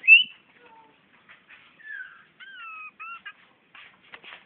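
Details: Magpie-robin in Brunei, 2013, singing at its mirror reflection: a sharp high chirp, then sparse soft notes and a pair of drawn-out falling whistles among scattered clicks and quiet gaps.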